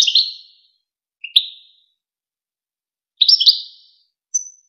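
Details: Tutor song of the European goldfinch for young goldfinches and hybrids: scattered liquid chirps and a twittered phrase with pauses between, ending in a thin high whistled note; silent background.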